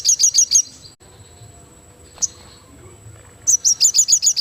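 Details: Crested jay singing energetically: two bursts of rapid, high, sharp chirping notes, about seven notes each, separated by a three-second pause with only faint background hiss and a brief click.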